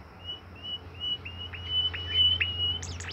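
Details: Caged bimoli bird sings a long, slightly rising high whistle broken into segments by quick downward flicks, with a scratchy flurry of notes at the very end and a low steady hum beneath.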